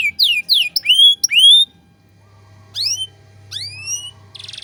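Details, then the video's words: Canary phrases from a 'cengkok mewah' tutor recording: a few bright falling and rising whistled sweeps, a pause over a low hum, then two more isolated sweeps and a brief buzzy burst. "Masteran Kenari Gacor Cengkok Mewah"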